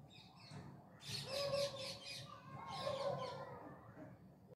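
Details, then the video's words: Two loud bursts of rasping parrot screeches on an evening in Bangalore city, India, each carrying a lower sustained tonal note beneath the harsh chatter, with background urban rumble. "ಗಿಳಿಗಳ ಕಲರವ ಮುಸ್ಸಂಜೆಯಲಿ ಬೆಂಗಳೂರಿನ ನಗರದಲ್ಲಿ.Parrots musical evening near my home @Bangalore city"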